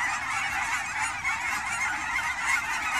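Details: Wild Canada geese on fall migration at Fern Hill Wildlife Area ponds, Forest Grove, Oregon, in the Willamette Valley: a dense, unbroken chorus of overlapping honks from a large flock, steady in loudness throughout.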